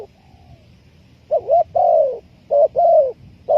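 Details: Lure call of a spotted dove for trapping, with paired coos, a short wobbling note then a long even one, repeated twice in quick succession, over faint low background rumble.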